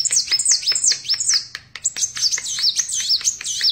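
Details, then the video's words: Sunbird (kolibri wulung) singing continuously: fast, very high whistled notes that swoop downward in repeated loops, with a faint low hum in the background. "Burung Kolibri Wulung / Kaca Gacor"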